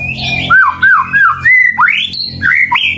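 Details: Murai batu, the white-rumped shama, singing to trigger rivals: three looping, wavering whistles followed by a long level note, then sharp upslurs and jumping whistled notes, over a low steady hum.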